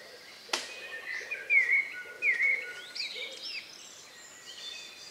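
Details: Last evening song in the countryside before night, recorded around 9 p.m. on May 2, 2020; a sharp click, then clear slurred whistles repeated a few times, fading into softer high notes and faint low hoots.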